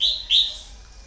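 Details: Red-whiskered bulbul kept as a decoy bird that has lured many wild birds; two loud, clear whistled notes in quick succession, the second slightly lower and longer, over faint background hiss.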